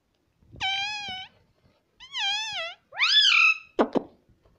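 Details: Pet parrot saying "mummy": three drawn-out, nasal syllables, the first level, the second gently wavering, the third rising and falling, separated by short pauses, then two sharp clicks.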